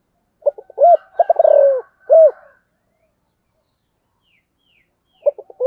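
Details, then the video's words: Spotted dove, sấm thổ type, cooing gọi and thúc: stuttering lead-in notes, an arched hoot, a fast descending rattling roll and a closing arched hoot, with faint high chirps during the pause before the next phrase starts. "Sấm thổ gáy gọi và thúc"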